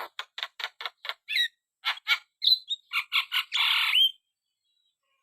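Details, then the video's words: Javan myna singing vigorously: a run of short harsh rasping notes, a clear whistled note, then a long buzzy chattering burst ending in an upward whistle, with no other sounds. "burung jalak kebo gacor"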